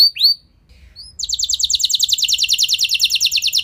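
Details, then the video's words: Canary song to stimulate other canaries to sing: a couple of rising-falling whistles, a pause, then a fast, regular, buzzy roll of short repeated notes. "Ampuh Buat Merangsang Emosi Burung Kenari Lain Biar Gacor Ikut Ngeroll Panjang"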